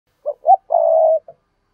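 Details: Spotted dove calling: two short soft coos followed by a long level hooting coo, all low and mellow, ending with a brief faint note.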